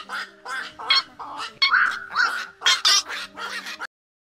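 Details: Black-crowned night heron calling the flock, played as a lure for night net trapping during the August 2024 migration season: short harsh squawking bursts repeated about every half second, over a steady low electronic hum.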